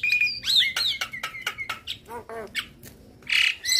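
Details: Javan myna tutor song packed with imitations for other mynas to follow: high level whistles, squeaky upslurred notes and rapid clicks, a pair of nasal stacked calls, then a loud harsh rasping burst.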